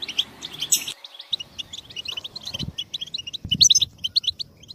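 A goldfinch sings a fast, tinkling twitter of high, bright chirps and trills without pause. A few soft low thumps are heard in the background.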